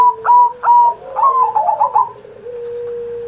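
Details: Caged zebra dove singing, recorded on Indonesian Independence Day as a master to draw song from other doves: two short opening coos, then a rapid stuttering roll of notes, with a thin steady whistle underneath.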